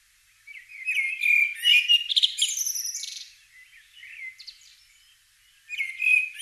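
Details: Common blackbird singing at dawn in the British countryside in spring: a mellow, fluted phrase breaking into a high, squeaky twitter, a short pause, then a new phrase.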